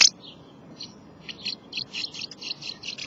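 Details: House martins at their nest, giving soft, high chirping twitters in a quick irregular series of short dry notes, faint against a quiet background.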